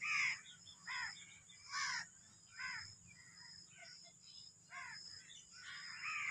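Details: Sindhi black francolin, known as kala teetar, giving a series of short grating down-curved notes in irregular bursts about every second, with a persistent high hiss and low rumble behind.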